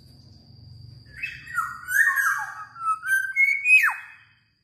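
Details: Black-naped oriole (kilyawan), a new pet bird in the Philippines, delivers a longer run of varied whistled and slightly nasal notes, wavering up and down, closing with a sharp downward-sliding whistle.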